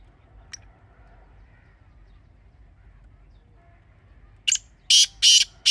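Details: Grey francolin call used for hunting: several quiet seconds with a faint tick, then four loud, harsh, scratchy notes in quick succession at the end.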